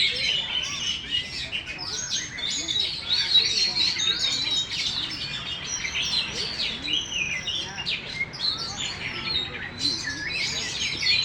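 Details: Caged contest-champion oriental magpie-robin, shown with its tail fully spread, sings a dense, varied run of high whistles, sharp chirps and quick trills that pour out almost without pause, with faint murmur in the background.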